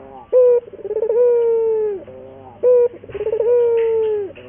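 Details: Training lure from a local puter dove: a loud clipped note followed by a pulsing trill that flattens into a long, steady coo dropping at its end, heard twice in clear succession.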